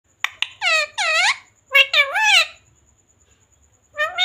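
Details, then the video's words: Talking parrot imitating Hindi speech such as "mummy", "papa" and "mithu ko roti do"; several high-pitched, voice-like syllables with rising and falling inflection in two quick bursts, then a pause and one more syllable. "Parrot talking mummy mithu ko roti do🥰mummy papa bolane wala Mitthu😱parrot talking sound"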